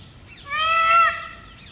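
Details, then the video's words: Wild male Indian peafowl calling loudly from a house rooftop in early morning, recorded close up: one loud, drawn-out, nasal, harmonic-rich wail that swells and then breaks off, over faint low background hum. "Wild Peacock Calling Sound. Mor ki awaaz"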